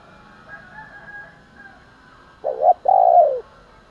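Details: Spotted dove cooing in the morning to provoke fighting: after faint background bird calls, a loud two-part coo, a short note and then a longer, mellow arched note.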